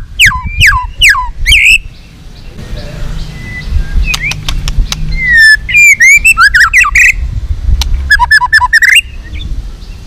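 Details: White-rumped shama song played to provoke a rival into fighting song: bursts of steep descending whistles and rapid rising sweeps, separated by short pauses, with a low background rumble.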